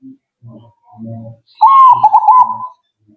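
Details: Zebra dove responding at once with a single rolling, stuttering coo phrase of about one second, preceded by soft low grunting sounds.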